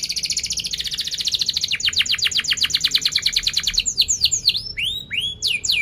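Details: Vigorous canary song of 'cuit cuit' chirps and sharp rolls for tutoring young canaries: a long rapid high trill that shifts into a slower, broader rolling series, followed by looping up-and-down whistled notes.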